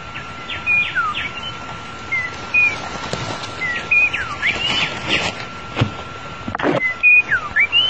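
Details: Long-tailed white-rumped shama song used as a lure to trap the bird: bright, clear whistled notes, some sliding down and some up, scattered among rustling and knocks, with a steady electrical hum beneath.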